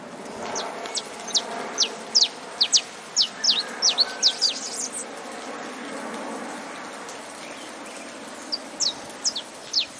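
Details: Saffron finch singing with rain falling: bursts of sharp, high, downward-slurred chips, closely spaced, pausing midway, then resuming in a looser run over a steady hiss of rain.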